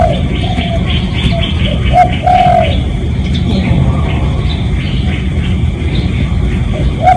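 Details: Spotted dove cooing in a real recording used to lure other doves: a few low soft coos with one longer phrase, faint chattering of other birds higher up, and a steady low rumble.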